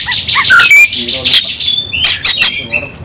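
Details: White-rumped shama (kacer) in fighting song: short whistled notes, harsh wide bursts and sustained high tones, moderately loud over low hum.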